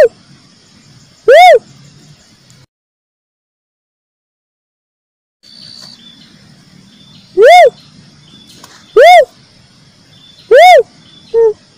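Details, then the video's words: A cuckoo-dove (uncal), used as a lure sound, gives four loud, clear whooping notes, each rising then falling, spaced irregularly a second or more apart, over a faint low hum. "suara burung uncal"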